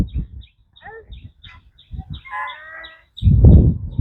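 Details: Domestic goslings out walking with the flock beside the water give rapid, thin, high peeps, joined midway by a person's voice and ending in loud low rumbling noise.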